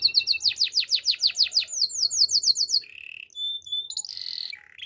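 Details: Waterslager canary training song, opening with loud rhythmic downswept whistles at about four per second, then softer quick slurs, a low trill, a thin high note and a buzzy roll.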